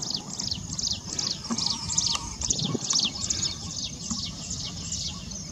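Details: A jungle bush quail (Perdicula asiatica) foraging near Dombivli, Thane district, Maharashtra, gives thin, high chirps in quick overlapping bursts, about two or three a second, over a low rumbling background.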